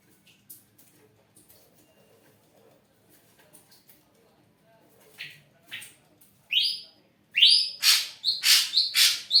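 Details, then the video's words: Ashy drongo, singing lustily and suited as a lure for other birds; near-silence at first, then loud, rising whistled and buzzy notes repeated in quick succession toward the end. "srigunting abu gacor siang malam"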